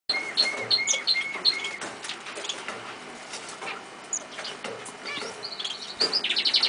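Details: A pet chaffinch, kept for three years, gives a run of short, even chirps, then scattered varied notes, ending in a fast, bright trill of high chips.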